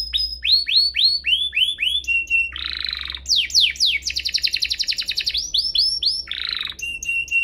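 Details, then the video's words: Pair of canaries singing hard, used to prompt canaries to sing and teach young birds; repeated arched whistles, broad buzzy bursts, and a fast rattling trill alternate in a lively sequence. "Kompilasi DUO GACOR, cocok untuk pancingan kenari biar gacor, masteran kenari paud"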